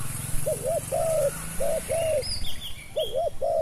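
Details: Spotted dove cooing while being used to lure wild doves: low, hollow paired coos repeated in short bursts, with faint higher chirps from other birds and a low rumbling background hum.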